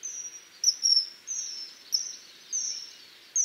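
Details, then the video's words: Piercing, drawn-out high whistles of a common kingfisher, each note level and thin, repeated roughly every half second to second with little else heard. "O canto do Guarda-rios"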